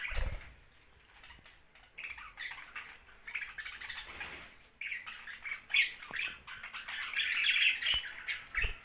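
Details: A young budgie keeps up fast, buzzy warbling chirps, quieter and broken at first, then a louder, almost unbroken chattering run over the second half, with light tapping noises.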